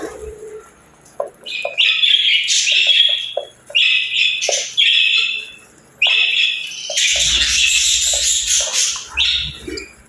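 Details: Pet budgerigars in an aviary utter long, loud, high whistling chirps in bursts of a second or two, then a harsh, noisy chattering passage and a low rumble.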